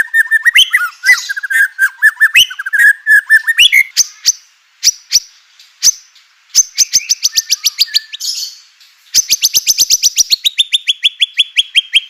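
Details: Song of a white-rumped shama, meant to provoke other shamas into singing: mixed chattering and whistled notes, then long runs of rapid repeated high notes, the last trill gradually dropping in pitch.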